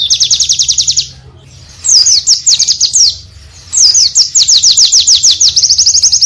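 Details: Oriental white-eye song in a full-variation tutor recording: a dense high trill of rapid chirps, a short pause, then faster twittering trills sweeping downward and running on continuously.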